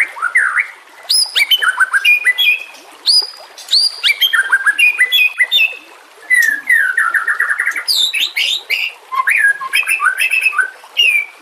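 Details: White-rumped shama song used as a training recording for other birds, mixed with nature sounds and trickling water: varied whistled phrases and rapid chattering notes, rising and falling sweeps repeated in bursts.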